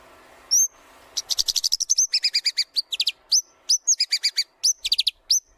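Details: White-rumped shama in full 'gacor' song, used to train other birds: one thin high note, then rapid bursts of stacked, chattering notes and quick upslurs in a varied, tumbling sequence.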